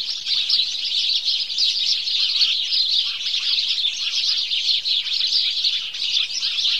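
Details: Dawn chatter of house sparrows: countless short, high chirps merging into one continuous twittering din, with a few lower notes repeated now and then beneath it.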